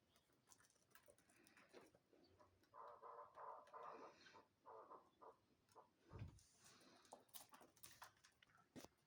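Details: Hybrid chukar partridge, a young bird from last year's brood kept for fighting, giving runs of short, harmonic clucking notes in quick succession, fairly faint, with rustling and handling noises around it.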